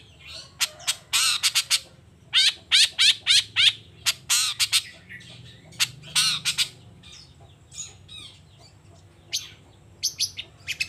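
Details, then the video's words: Long-tailed shrike singing actively in the morning and showing its repertoire: dense runs of harsh chattering and grating notes, brief pauses, then softer scattered calls and a final flurry, with low background rumble. "Suara Cendet Gacor Di Pagi Hari Toet Toet Bongkar Materi"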